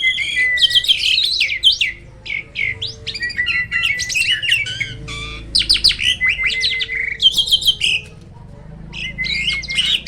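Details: Black-winged starling, a bird said to be seldom found in the wild, singing in bursts of chattering, scratchy notes and whistles over a level held tone, with short pauses between phrases.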